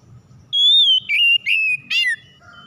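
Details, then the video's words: Oriental magpie-robin singing as a lure to spur other magpie-robins into song. A long level whistle is followed by three slurred whistles, the last a rich, falling note, over near silence. "PANCINGAN KACER MACET BUNYI CEPAT IKUT BERPERAN LANGSUNG GACOR"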